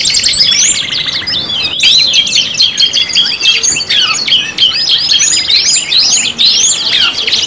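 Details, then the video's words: Several canaries combined in a five-in-one pancingan mix produce a tangle of fast trills and varied swooping whistled notes, with a brief pause near two seconds before the dense singing resumes. "PANCINGAN KENARI 5 IN 1 | CANARY SINGING"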